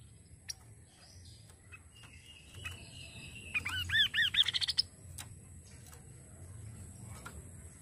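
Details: Kaso kaso bird calling: after quiet faint chatter, a burst of arched, slurred whistled notes quickens and rises into a rapid string before stopping, with scattered sharp clicks around it.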